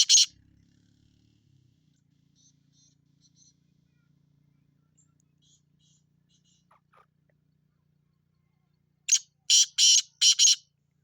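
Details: Black francolin calling: after about nine seconds of near silence, with a faint low hum, a harsh, grating series of four loud broadband notes in quick succession; one earlier brief note at the start.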